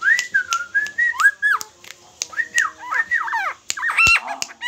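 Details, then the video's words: Helmeted friarbird from Lombok, singing eagerly in the hand: a run of slurred, level and wavering whistled notes mixed with sharp clicks and a harsh downward rasp, indoors. "koak kaok lombok gacor ditangan"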